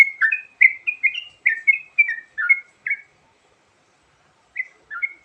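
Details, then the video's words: A sooty-headed bulbul's varied lure song in which a three-second flurry of quick, warbled whistle notes breaks off into silence, followed by two short closing phrases. "Suara Burung Trucukan Isian Variasi Sangat Ampuh Buat Pikat"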